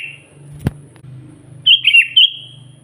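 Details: Sooty-headed bulbul singing to lure and provoke wild bulbuls: a steady low hum and one sharp knock, then a single loud bubbly phrase of three quick fluted notes near the end.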